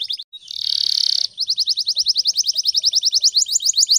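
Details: Morning canary song used as a training lure for other birds: a sustained buzzy trill, then rapid high rising notes repeated about three times a second.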